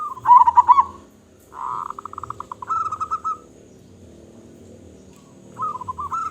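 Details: Local zebra dove, described as loud-voiced and in full voice, giving bursts of rapid, pulsed, stuttering coos at a steady mid pitch. Three phrases are separated by short quiet gaps, and the second phrase ends in a drawn-out rolling coo.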